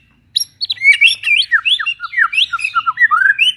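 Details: Loud, fast white-rumped shama song from a blorok bird: tumbling whistled phrases that dip and rise, with sharp high notes. The bird sings almost without pause in near silence.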